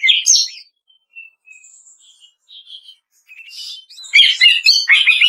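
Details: Greater green leafbird kretekan training song: a short bright burst, faint thin whistles during a quiet stretch, then a dense final outburst of crackling, high chattering notes.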